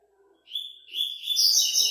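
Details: Tournament song of a Double-collared seedeater, fifth stage of an online competition: a steady whistled note that runs into a dense, loud burst of rapid sweet twittering.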